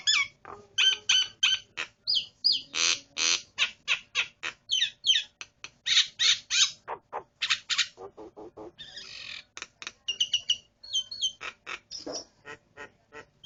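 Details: A pet starling pours out a fast, jumbled song of sharp clicks, harsh squawks, slurred whistles and buzzy trills, about three notes a second, with a brief lower chattering passage midway.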